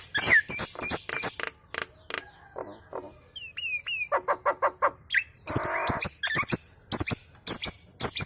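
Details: Kemrewek-style Nias hill myna singing that prompts nearby birds to join in: dry clicks in quick succession, a run of short descending whistles, evenly spaced popping notes and a rasping buzzy outburst.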